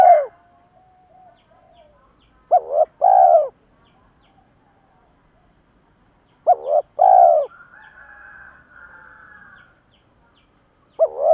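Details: Male and female spotted doves cooing to stimulate birds kept for decoy training: deep soft phrases of two quick notes then a fuller rolling coo, spaced about four seconds apart, with a faint rooster crow.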